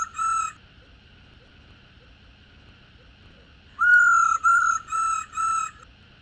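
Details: Female black-throated laughingthrush 'ro' calling, used to stir caged males into song: one level note, then three seconds of quiet, then a burst of four similar flat, buzzy-toned notes in quick succession.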